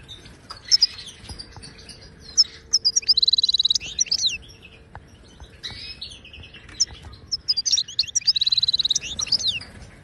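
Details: Wild Moroccan goldfinch of the Ouidani style, song with batbata trills for teaching caged birds: bright twittering phrases, a dense buzzy trill near three seconds, a pause, then a second twittering burst with another rapid trill.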